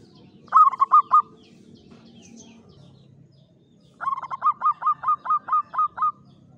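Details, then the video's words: Caged Javanese zebra dove, a local bird kept in a classic Mataram-style cage, singing in klowongan style with a clear voice: a quick burst of four low hollow coos, a pause, then a longer run of about nine evenly spaced coos. "SUARA PERKUTUT JAWA KLOWONGAN"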